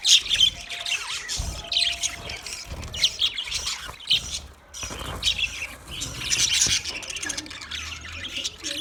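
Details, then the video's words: Several budgies chatter in bursts of high, buzzy twittering and squeaks, separated by short pauses, with faint thumps and a soft low hum toward the end. "sounds of budgies chirping"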